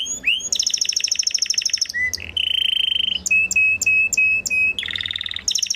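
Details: Belgian canary, a singing (galador) bird, sings a rapid, varied song: fast buzzy trills, pure sustained whistles and stuttering repeated notes, bright and high-pitched throughout.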